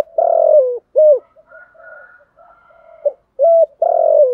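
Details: Long, husky falling coos from a decoy spotted dove calling to lure wild doves, alternating with short clipped notes. A faint, higher, humming murmur runs through the middle section.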